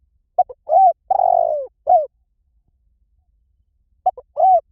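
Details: Spotted dove call played to lure birds, soft low coos in a phrase of short notes and a longer falling coo, a pause, then the phrase begins again.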